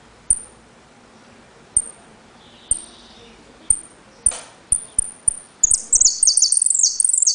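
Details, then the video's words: Saffron finch (jilguero) from Trenque Lauquen singing the 'El Correntino' style: sharp high whistled pitadas spaced about a second apart, each with a click, quickening into a dense, rapid, very high repique trill at the end. "JILGUERO AUDIO "EL CORRENTINO" ( repique, golpe y pitadas)"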